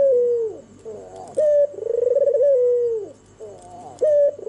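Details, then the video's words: Albino turtle dove, white with red eyes, singing in the night with soft repeated coos: a falling note, a loud short accent, then a long vibrating trill that glides down. Sounds like a small room. "SUARA MERDU BURUNG PUTER PUTIH MATA MERAH MANGGUNG DIMALAM HARI"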